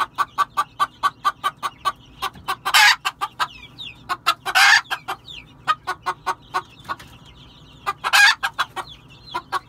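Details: Quick, repeated low clucks from a red junglefowl, several a second, interrupted by three loud, noisy, raspy squawks. Faint high whistles sound behind.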